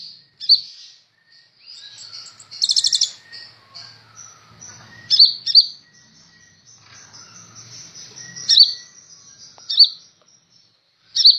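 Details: Lively kolibri ninja sunbird song meant for tutoring other birds: thin high whistles strung together, broken by a fast rattling trill and scattered sharp chips repeated every couple of seconds.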